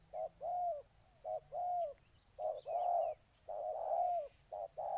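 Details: Spotted dove in Ninh Thuận cooing in short and long mellow notes, some stretched out, alongside a series of high thin chirps from a small bird at the start.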